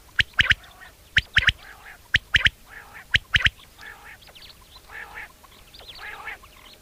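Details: Mating call of a wild common quail at sunset in a summer meadow: crisp three-note bursts, short-long-short, roughly every second at first, then softer nasal quacking calls from other birds take over.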